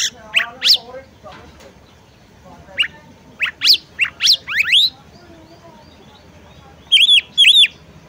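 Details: Oriental magpie-robin female calling a male to sing, giving scattered sharp rising whistled notes, a pause, then a pair of short bright chirps.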